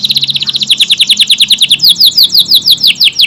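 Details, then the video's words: AF canary singing vigorously: continuous rapid high chattering trill of short downslurred notes, about four to six per second, loud and unbroken throughout. "KENARI AF GACOR, durasi panjang tembakan rapet"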